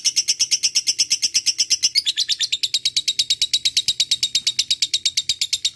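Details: Lovebird ngekek panjang, a long chattering call used as a lure for a rival: a fast, piercing run of high notes that drops in pitch after two seconds, then continues as a dense, steady rattle.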